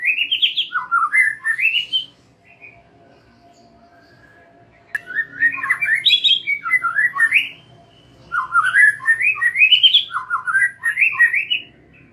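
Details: Three bursts of white-rumped shama lure song for young and wild-caught birds, separated by silent pauses of a few seconds; each burst is a fast cascade of rich, rising whistled notes.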